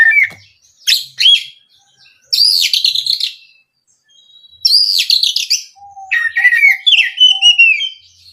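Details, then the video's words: Oriental magpie-robin (kacer) song used as a lure to make other birds sing: long sequences of loud whistled, warbling phrases with sweeping notes and chirps, separated by short pauses. "SUARA BURUNG KACER INI AMPUH UNTUK PANCINGAN KACER AGAR CEPAT KONSLET DAN NGEPLONG"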